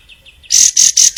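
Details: Long-tailed shrike in full song, recorded as a fill-in song for tutoring other songbirds: a few soft, short notes, then loud, piercing high squeaks repeated about every quarter second.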